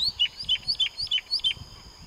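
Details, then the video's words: A common nightingale sings on a plain behind a house in the village of Florida: a quick series of clear, high notes that slur downward, repeated about every third of a second, over a faint low rumble. "Ruiseñor cantando"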